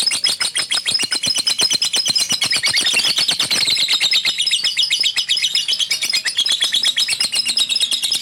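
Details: Caged male fighter lovebird singing: a dense, unbroken stream of high, scratchy chattering notes that rise and fall in pitch, delivered rapidly and steadily throughout.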